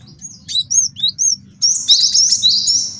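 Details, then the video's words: Male great tit singing, recorded as a master song for tutoring birds and luring; scattered high thin whistled notes, then a dense run of rapid, bright, sliding phrases over a faint low hum. "MASTERAN GELATIK BATU JANTAN BAGUS BUAT MIKAT DAN MASTERAN BURUNG JAWARA"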